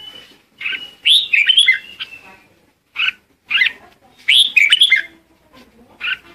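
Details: Red-whiskered bulbul decoy singing to call the flock: short, bright warbled phrases with rising and falling notes, in three bursts separated by brief pauses, plus a long thin steady whistle near the start.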